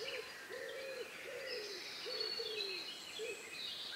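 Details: Evening birdsong in the countryside, recorded around 9 p.m. on May 2, 2020, just before night, on a Sound Devices MixPre-3 with Neumann KM184 microphones; a low arched hooting note repeats roughly every 0.7 seconds beneath fainter high twittering from other birds.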